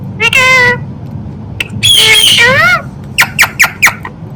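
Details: Talking Indian ringneck parrot uttering a drawn-out harmonic phrase, then a longer wavering speech-like sequence, followed by four short clipped squawks in quick succession.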